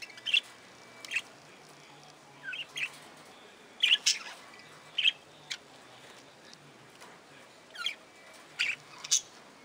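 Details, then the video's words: Budgerigars in an aviary giving short, bright chirping calls scattered across ten seconds, single notes and quick pairs with pauses between, over a quiet, even background hiss. "Budgerigars – Wellensittiche – Parakeet sounds - Parkieten geluiden"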